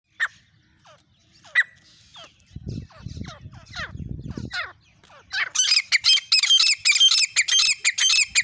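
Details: Female grey francolin recorded on an iPhone: scattered thin downslurred notes and a low rumble, then a loud, harsh, rhythmic run of grating calls repeated about twice a second.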